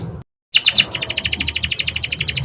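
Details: Canary song entering after a brief silence: a rapid, rolling high trill of evenly spaced notes, repeated steadily for about two seconds, with a soft low hum behind.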